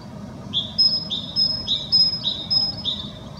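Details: Goldfinch song of repeated couplets: a bright downslurred chirp then a thin high whistle, about two per second, steady and insistent over a faint low rumble of distant traffic.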